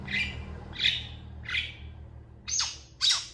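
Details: Long-tailed shrike calling with full emotion, answered by other shrikes: five harsh, raspy squawks spaced about half a second apart, the last two sharper and higher, over faint low hum.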